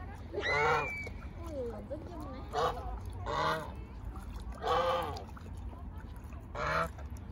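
Loud, nasal goose honks at irregular intervals, with softer, wavering calls between them.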